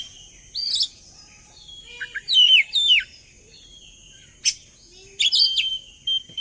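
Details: Oriental magpie-robin song played as a lure to draw other birds into singing: scattered bursts of quick warbled and slurred notes, falling whistles and sharp chirps separated by quiet gaps, with faint background hiss.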